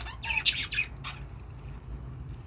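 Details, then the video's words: Short burst of high budgie chirps and a squeaky warble, followed by near silence with low background hum. "budgie birds | budgie sounds | love budgie | budgie voice|"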